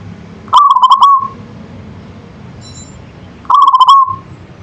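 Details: Perkutut lokal, a zebra dove, giving its manggung song: two quick rolling coo bursts, each opening with rapid stutters and trailing into a smooth held tone, about three seconds apart, soft distant high chirp in the gap.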